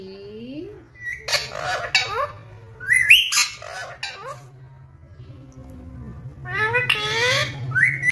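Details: Green ringneck parrot in a cage, producing squawky speech-like syllables and rising whistles in bursts separated by pauses, with low background hum.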